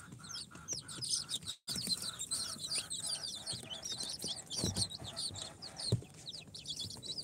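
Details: Four-day-old chicks from an incubator, Sultan, Golden Sebright, Cochin and booted breeds, filling the space with thin, high falling peeps from many birds at once, over a low hum, thuds and a brief dropout.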